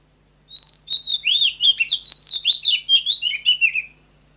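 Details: After a moment of quiet, an Oriental magpie-robin, recorded to train caged birds' singing, delivers a lively phrase of sweet rising and falling whistles and short chattering notes, about three seconds long.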